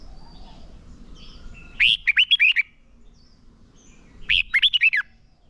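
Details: Red-whiskered bulbul kept as a decoy singer for training contest birds; two short phrases of five or six rapid, loud, rising-and-falling whistles, separated by about two seconds of near silence with faint background chatter.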